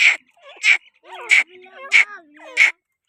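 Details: Grey francolin (teetar) calling with loud, shrill, rasping bursts repeated about every 0.65 seconds, five in a row. Softer chattering and whistled calls from other birds run between the bursts.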